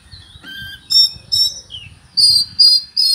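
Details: Oriental magpie-robin song packed with cricket imitation: a few clear whistles, one falling slur, then loud, short, ringing chirps repeated roughly every half second.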